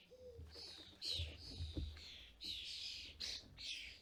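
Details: European starlings visiting a UK garden feeder while parents feed fledglings; long, grating, buzzy screeches are repeated in quick succession, with a brief low whistled note early on and soft thuds underneath.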